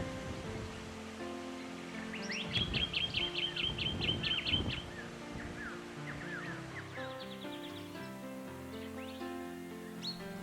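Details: A Jacky Winter, an Australian robin of the woodland, gives a quick run of about a dozen sharp, high chirps, then scattered softer chirps, over gentle background music.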